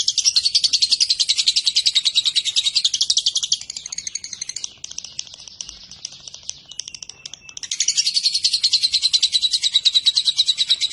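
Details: Long 'ngekek' chatter of a lovebird, played so other lovebirds reply: rapid high buzzy pulses pour out for about three and a half seconds, drop to a softer, rougher stretch, then surge back loud and fast for the last three seconds.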